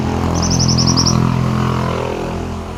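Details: Pied bushchat singing actively, in a recording made for training other birds: a quick run of about nine high, sharp, evenly spaced chips that start and stop abruptly, over a steady low hum.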